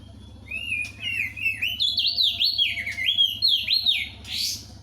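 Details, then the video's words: Crested white-eye in loud, steady song: a continuous run of rapid, slurred whistles rising and dipping for about four seconds, ending in a short hiss, over a steady low electrical hum. "Opior jambul gacor suara kencang"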